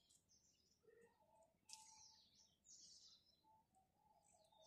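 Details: Faint morning chirps from house sparrows, high scratchy notes in short runs over a soft steady hum, with a few lower whistled notes underneath.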